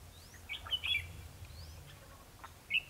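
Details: Red-whiskered bulbul fighting song used as a trapping lure, December 2015: brief sharp whistled notes, a few thin rising whistles in the background and a short closing phrase.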